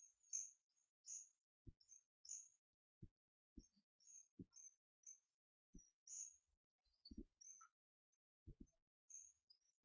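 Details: Twelve-day-old hawfinch nestlings, two surviving siblings, hand-fed by their keeper on 4 May 2014. High, thin chirping begging notes repeat roughly every half second to second, with intermittent dull tapping and handling clicks.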